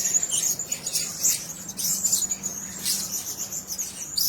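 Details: Caged blue-crowned hanging parrots, several birds in one cage, give sharp, high-pitched squeaky chips in quick succession, with a faint low steady hum in the background.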